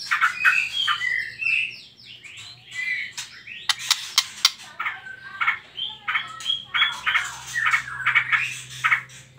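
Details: White-rumped shama trotol song for provoking other birds to sing: a cascade of descending whistled slurs, sharp high clicks, then varied chopped notes and short warbled phrases in quick succession.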